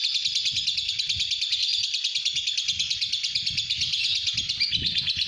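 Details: Lovebird, pastel green fighter kept at home, chattering a long ngekek: high, rapid pulsed trill carried on steadily for five seconds, with low thumping and rumbling noises underneath.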